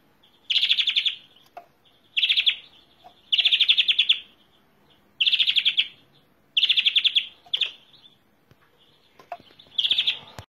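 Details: European greenfinch song: six rapid, rattling trilled bursts, each half a second to a second long, separated by short pauses, with faint clicks and ticks in between and no other birds heard.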